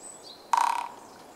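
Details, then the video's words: Japanese pygmy woodpecker drumming, filmed 8 March 2014 at close range: one short roll of rapid taps lasting about a third of a second, loud at first and fading toward the end, then quiet with a faint background hiss. "コゲラ"Dendrocopos kizuki"の鳴き声（ドラミング）"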